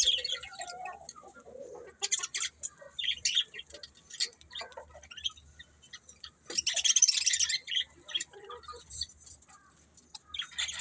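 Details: Budgies chirping in short, scattered high bursts with gaps between them, plus a brief hissing rush of noise midway and faint low rumble throughout.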